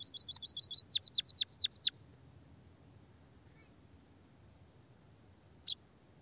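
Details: Lively munia (pipit/emprit) played as a lure and therapy for birds reluctant to sing: a quick string of high ticking notes breaks into louder down-slurred chirps, then silence and one last sharp chip.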